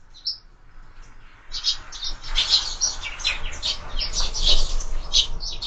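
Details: Sparrows at window-mounted feeders: a lone chirp, a pause, then a rising flurry of loud, overlapping chattering tweets.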